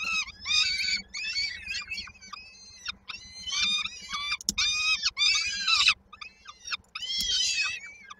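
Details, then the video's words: Peregrine falcon chicks at Koszalin, Poland, 19 May 2022, waiting for the mother with dinner: irregular runs of arched, harmonic squeals alternating with longer, louder, dense screeching bursts, over a low steady hum. "w oczekiwaniu na mamę z kolacją"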